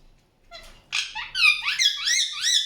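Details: Indian ringneck parakeet chirping; after a soft start, a run of bright harmonic chirps and short upward and downward sweeping notes follows, loud and close.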